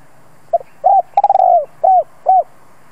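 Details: Spotted dove decoy calling to draw in wild birds: a soft double lead-in, a mellow coo, a quick stuttering roll sliding down, then two separate round coos, against faint background hiss.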